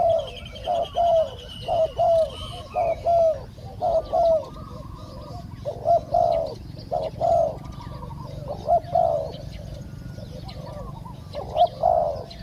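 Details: Spotted dove calling in a live decoy session in Thailand, where a caged bird lures a wild dove that is slow to come down. Low, hollow coos come in short bursts of two to three notes, repeated steadily, with faint distant chirps.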